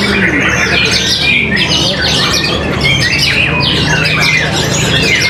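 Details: White-rumped shama (murai batu), a competition bird with strong character and a very loud, powerful song: dense, rapid run of sharp chirps and whistled phrases flowing without pause over steady background noise.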